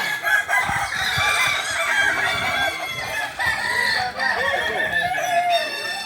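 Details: Kokok Balenggek chickens during a practice crowing contest final in Sawah Lunto, 16 July 2023, several birds calling together with drawn-out, wavering, multi-note crows and short clucks, some people talking nearby.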